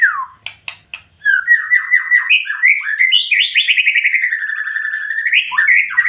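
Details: White-rumped shama in full, emotional song: three sharp clicks after a falling whistle, then a long, fast, rolling stream of trilled, warbled notes climbing and descending without pause.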